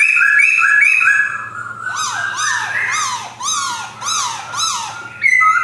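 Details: Captive male black-throated laughingthrush, white-cheeked form, Jogjakarta, 2021: quick paired whistles, then a run of about six loud, downslurred ringing notes roughly every half second, closing on bright whistles.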